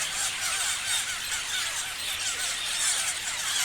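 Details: Parrots chirping en masse, a continuous shrill twittering haze of overlapping squeaks with occasional sharper whistled notes.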